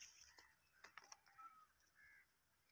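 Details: A Pakistani parrot talking in Urdu: a few quiet, harsh, voice-like syllables with sharp clicks, then a short nasal drawn-out note near the end.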